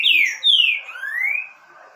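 A green-winged saltator sings a short phrase of three rich, slurred whistles: two falling notes, then a longer rising one, all in a quiet setting.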